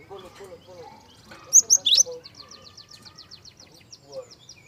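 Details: Java sparrow, soft lure song used to draw song from young birds: a few bright high chirps, then a fast run of evenly spaced clicking notes, with faint low murmuring in the background.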